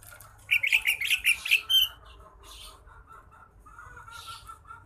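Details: Sooty-headed bulbul with a cricket still in its beak gives a quick run of about six bright, chirpy notes and a short slurred whistle, then softer, lower repeated notes to the end.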